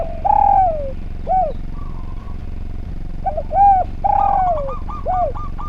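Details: Actively singing spotted dove on a training recording for other birds: repeated phrases of short coo, long descending coo and clipped coo, ending in a quick run of brief repeated notes, over a steady low rumble.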